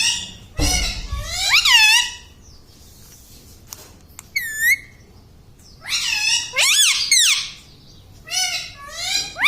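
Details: Indoor pet parrot saying words such as papa, in clusters of swooping, harmonic syllables with a lone high whistled note between groups and a low thump near the start.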